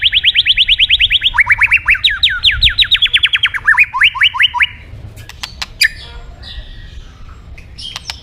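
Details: White-rumped shama song played as therapy to stimulate other birds to sing: long fast trills of repeated upslurred notes, each run shifting pitch, about three per second, then scattered sharp clicks and a few high whistles.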